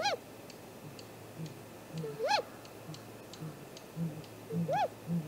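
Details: Great grey owl at its nest tree, recorded by a nest camera at 7:15 am on 2 April 2018 with vocals from the camera tree: three arched, rising-then-falling whistled calls with bright overtones, and soft deep hoots pulsing beneath.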